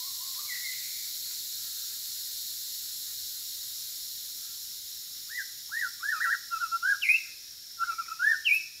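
A White-rumped shama sings rich, varied whistled phrases, first briefly, then in a quick burst of rising and falling notes, over steady high insect hiss.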